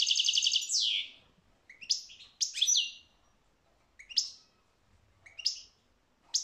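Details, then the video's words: A European goldfinch sings a rapid, tinkling run of bright twittering notes, then breaks into short liquid phrases repeated every second or so. "تغريد الحسون"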